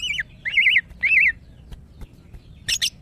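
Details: Female greater green leafbird kept as a cage bird, calling for males in breeding condition: three loud wavering warbled whistles about half a second apart, then a brief harsh double squawk.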